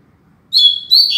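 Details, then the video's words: Caged double-collared seedeater, a tutor bird kept for teaching songs, singing firmly and loudly: a bright, high whistled phrase starting after a short silence, with a second strong note rising near the end. "Coleiro Mack Cantando Firme e Alto!!!"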